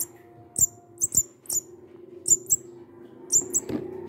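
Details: Hungry young munia rescued from a backyard and kept for feeding until strong enough to go free: piercing high chirps in pairs and triplets separated by brief pauses, over a steady low indoor hum.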